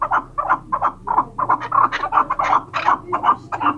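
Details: Chukar partridge giving a fast series of hoarse, clucking chuk notes, about three each second, steady in pitch and rhythm.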